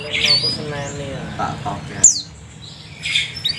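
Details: A canary in a lure recording meant to stimulate other canaries to sing gives high, bright chirps and short trilled bursts in broken phrases, with a sharp rising squeak midway; a faint low voice-like sound comes early on.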